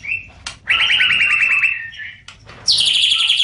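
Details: Cucak ijo, green leafbird, singing a tutor recording for young birds: a fast buzzy trill of rapid repeated notes, a brief pause, then a bright high whistled phrase, over a faint low hum.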